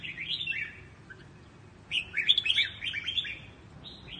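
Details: Quang Tri style voice-training song of a red-whiskered bulbul: a short warble, a pause, then a longer run of rapid bright whistled notes ending in a brief trailing phrase, faint hum underneath.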